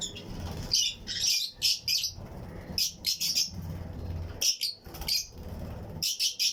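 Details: Colony of Fischer's and lutino lovebirds in a flight cage aviary, chirping and singing with other birds nearby: clusters of shrill, scratchy high chirps in short irregular bursts separated by brief pauses, with low murmur beneath.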